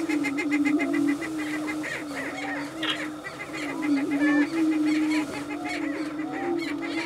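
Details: Prairie chickens displaying on a lek at Bluestem Prairie near Dilworth, Minnesota, in a mating dance: a steady low droning moan from several birds runs throughout, overlaid with scattered hooting whoops and sharp cackling notes, plus brief higher calls.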